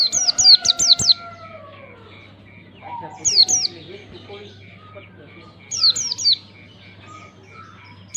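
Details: Oriental white-eye giving ngalas-style song for a learning lure: four quick high falling chirps over a long lower whistled tone, later a pair and a trio of similar chirps, with intermittent beeping and a low hum.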